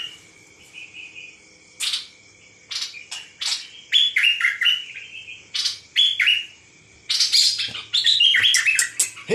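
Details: Nok dok taeng bird giving scattered sharp chirps that build into denser, faster twittering runs toward the end, over a low steady background hum.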